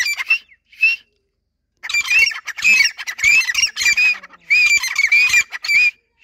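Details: Two male and two female grey francolins calling back and forth on seeing each other. Two short ringing notes, a pause, then a loud burst of harsh, rhythmic cries with overlapping voices.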